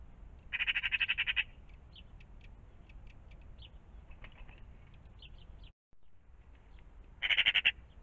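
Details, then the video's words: Magpies in the morning at a pond give two loud, harsh chattering rattles of rapid grating notes, one early and one at the end, with soft short chirps from other birds between and a low background rumble. "Magpies in the morning"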